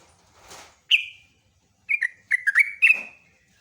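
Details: Sooty-headed bulbul singing actively in long rolling phrases (gacor ropelan), said to set other bulbuls answering; one clear slurred whistle, then after a pause a quick burst of five liquid, warbled notes, with a soft rustle near the start.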